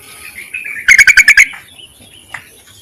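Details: Yellow-vented bulbul call used to attract males as a lure: a faint slurred note, then a rapid burst of six bubbly chirps, and a single soft note afterward.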